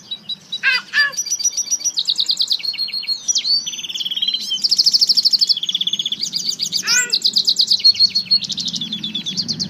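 An African citril mule sings a long, lively canary-like song of fast high trills, buzzy rolls and sweeping whistled notes, with a faint low hum behind.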